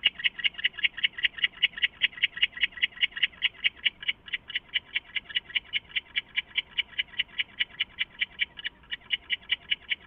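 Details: Owl calling at night, around 3:15 AM on 23 August 2014, after flying into its nest box hideout; a steady series of short, mid-high notes, about two and a half per second, continuing evenly with a brief gap near the end.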